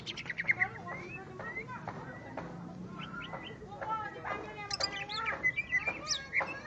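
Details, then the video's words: Greater green leafbird singing after finally meeting a rival: a rapid, varied jumble of sharp whistles, chirps and short rising and falling notes, dense and continuous, over a low murmur in the background. "cucak ijo Akhirnya dapat LAWAN tempur.."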